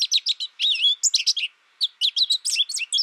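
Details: American goldfinch giving rapid, high, sweet twittering notes. A quick run of chirps is followed by a slurred warble, a short pause near the middle, then more clipped, bright tweets. Clean recording with no other sounds.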